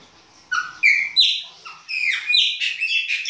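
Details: Chopi blackbird giving its winter baianinho song, opening with spaced clear whistles, then quickening into a rapid chain of loud slurred, squawky and whistled notes.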